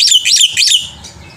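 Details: Black-winged myna, a short burst of song for prompting other birds: three loud, harsh chattering phrases of wavering whistled notes in under a second, then fading quiet.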